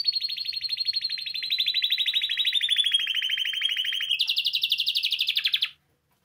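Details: Song of a Spanish timbrado canary meant for teaching song: a long, continuous pulsed trill sliding gently downward, then switching abruptly to a higher, faster rolling phrase before ending.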